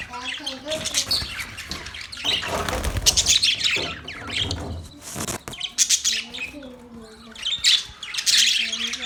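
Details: Budgies chatter in bursts of dense, scratchy chirping and warbling, interrupted by louder broadband rustling noises, while soft lower wavering tones appear now and then.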